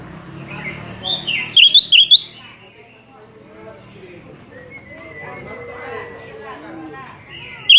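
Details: A sooty-headed bulbul calls out at a rival: a quick burst of four loud, sharp, rising whistled notes, then a stretch of quieter mixed chatter, and one more bright whistle at the very end.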